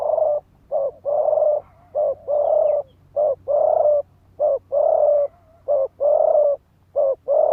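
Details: Spotted dove decoy giving rapid driving coos to rouse males to fight: alternating short and longer low, hollow coos in a steady, insistent series, close and loud.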